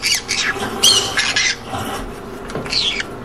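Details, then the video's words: Green conure squawking in rough, grating bursts in quick irregular succession, overlapping and blurred, with some background noise; the sound is described as creating a happy mood. "Green Conure Sounds. Creates Happy mood"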